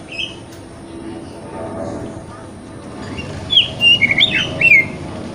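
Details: Kacer (Oriental magpie-robin) wikplong lure song meant for morning therapy so a bird spreads its tail; after a low hiss, a short burst of sharp, bright whistles and rapid chirps rings out near the end.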